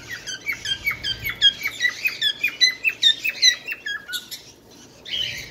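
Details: Bengalese finch uttering a jumbled sequence of short chirps and downslurred notes at varied pitches, closely spaced, ending in a brief quieter gap and a final chirp.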